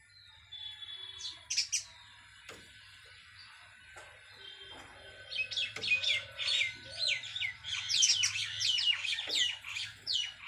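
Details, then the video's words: A rescued, uncaged pet Indian parrot said to talk gives a brief burst of harsh squawks, then a long run of rapid, scratchy chattering notes over a faint low hum. "ଶୁଆ କେମିତି କଥା କହୁଛି ଦେଖନ୍ତୁ//parrot talking"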